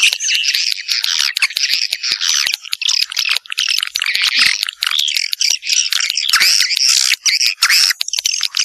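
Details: Swiftlet calling sound in the Vietnamese widow style: unbroken, busy twittering and chirping at high pitch, with rapid clicks throughout.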